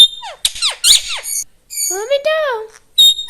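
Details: Talking parrot imitating human speech: squeaky, high, voice-like phrases with short gaps, including a longer wavering phrase that rises and then falls near the middle, indoors.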